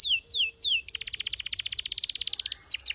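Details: Canary giving three falling whistled notes, then a long, rapid, machine-like trill of repeated sharp notes about a second and a half long, ending with a few slurred notes.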